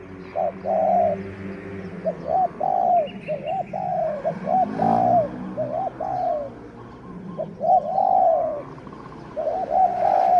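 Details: Decoy spotted dove, a captive used to lure wild birds, cooing steadily in a long series of soft, low, bubbling phrases, short notes and longer drawn coos alternating, with faint background murmur.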